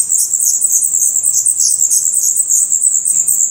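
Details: Nestling black redstarts in Portugal, eyes already open and true feathers coming in, keep up a dense, unbroken wash of very high, hissing, overlapping begging chirps.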